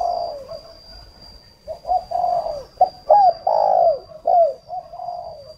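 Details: Decoy spotted dove used to lure wild doves, from Ba Vì, Hanoi, Vietnam; an irregular series of low coos, some short and clipped, others drawn out and falling at the end, with a faint steady whine behind.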